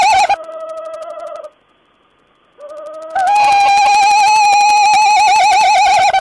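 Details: Owl on 14 April 2010 giving a wavering, trembling trill, a short pause, another trill, then a loud, prolonged, rough, vibrating call that swells and holds to the end.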